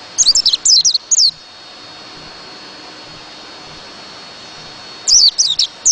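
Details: White-eye song in two high twittering phrases of quick downward-slurred notes, one at the start and one near the end, with a long quiet gap and faint steady hiss between.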